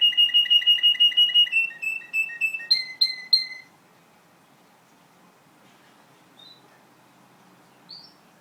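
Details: Russian canary singing: a fast, bright trill of evenly repeated high notes that steps down in pitch, then a few slower ringing notes, followed by near silence with two faint high chirps.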